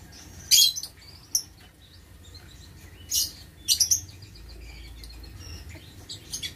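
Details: Lovebirds in a breeding aviary, recorded 6 November 2022: high, shrill chirps arrive in irregular bursts, a strong double near half a second and a rapid triple around four seconds, with softer twittering scattered throughout.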